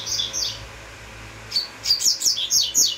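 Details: Double-collared seedeater singing a few high, thin chirps, then a quick series of sharp, high twittering notes near the end over a faint steady background hum.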